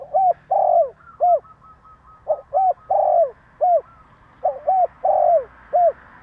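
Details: Spotted dove in Vietnam, a wild-voiced bird cooing to provoke other doves into answering. Three mellow four-note phrases: two short coos, a long falling croon, then a clipped final note, repeated every two seconds over a quiet background.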